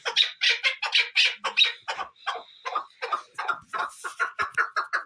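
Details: Chukar partridge calling with loud, rasping chuk notes repeated steadily, some harsher and higher at the start, then a regular rhythm of clipped notes continuing to the end.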